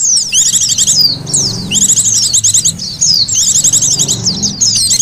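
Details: Oriental white-eye (pleci) call used to lure wild birds: dense, high, rapid twittering of sharp descending and rising chirps in bursts about a second long, repeated with brief pauses, with faint low rumble beneath.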